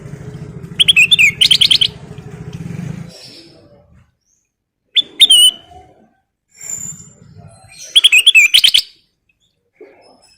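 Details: Kutilang emas (ruby-throated bulbul) singing energetically with full fill phrases: bursts of rapid bright chattering notes alternating with short rising-then-falling whistles, separated by pauses, over a low background hum.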